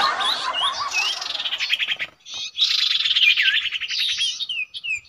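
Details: Common iora at a usual nesting site, recorded at a bird-trapping spot: a mix of clear whistled slurs and quick chirps running into fast buzzy trills. There is a short pause near two seconds before a further burst of whistles and rattles.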